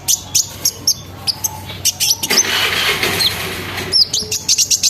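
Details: Sunbird lure song intended to make other sunbirds sing: spaced high sharp chirps, a noisy hissing stretch in the middle with a couple of slurred whistles, then quick chirps again.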